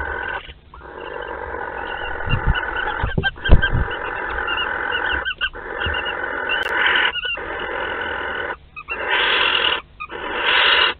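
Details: Barn owls at a nest in Théding on 31 March 2021, as a live wood mouse is delivered: long rasping, breathy hisses broken by short pauses, with several low thumps and knocks from movement in the nest box.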